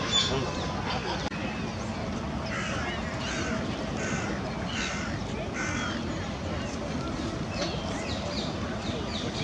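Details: Grey herons squabbling and chasing after getting too close to each other: a run of harsh, hoarse croaking bursts repeated in quick succession, over steady broadband background noise.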